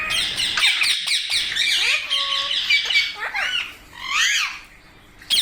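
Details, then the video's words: Parrot screeching in loud, harsh bursts, then giving a few rising and falling chirps, with a steady faint tone in the background. "Parrot Natural Sounds Compilation | Parrot Sounds |Baby Parrot Sound"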